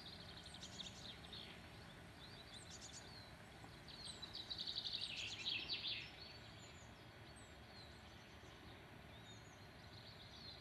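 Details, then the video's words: One mistle thrush in a field near Redmires Reservoirs, Peak District, UK, gives a dry, harsh rattling chatter of about a second after fainter high ticking notes, over a steady background hiss. "Mistle Thrush"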